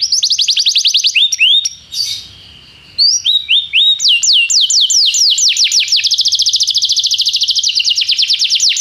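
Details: Young-canary training tutor: a canary sings quick descending trills, pauses with a soft rasp, then resumes with scattered notes building into a long rapid rolling trill.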